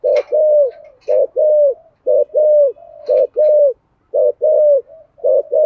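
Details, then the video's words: Low, husky coos of a spotted dove in the 'thổ' voice style, played to attract wild doves: repeated phrases of a clipped note and a longer sliding note, with soft murmurs between and a few thin chirps. "Tiếng cu gáy giọng thổ giọng hay dùng kích bổi hiệu quả"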